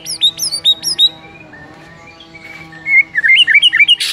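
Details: White-rumped shama singing in the morning, played as a tutor song to get caged birds singing: quick upslurred whistled notes sweeping high, a pause of low murmur, then a run of rapid rising and falling chirps.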